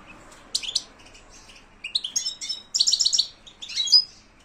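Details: European goldfinch song tied to silvestrismo: scattered sharp chirps, then a rapid run of bright repeated twittering notes and a closing burst of liquid trills, over a quiet background.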